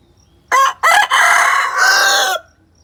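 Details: Chicken calling loudly after hearing a played hen sound, as if searching for it: two quick harsh notes open into one sustained, rich, slightly falling crow-like cry of nearly two seconds, then silence.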